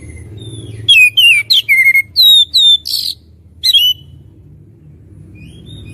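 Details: Lively oriental magpie-robin song: after low rumble, a quick series of bright, falling and level whistles with one harsher note, then silence with faint distant notes.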